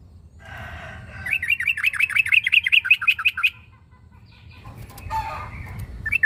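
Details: Sooty-headed bulbul calling to a rival, a fast run of bubbly, wavering notes for about two seconds, followed by quieter scattered chirps and a faint low rumble.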